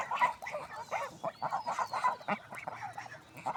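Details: Village swan producing a steady run of short nasal honks, roughly four per second, with a thin whistled tone drifting above.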